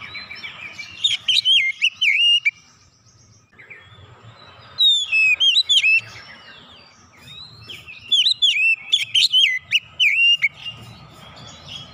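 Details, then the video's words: Oriental magpie-robin song to bring out stored imitations: three loud bursts of bright whistles and steep sweeping notes separated by quieter gaps, with low background rumble. "kicauan Kacer membuka isian suara yang terpendam langsung ngotot bongkar isian"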